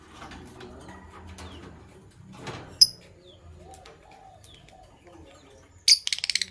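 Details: Caged lovebirds, Sky Blue Opaline and Green Opaline, in the morning: a sharp shrill chirp, then a burst of five or six rapid piercing chirps near the end over quiet low murmuring background.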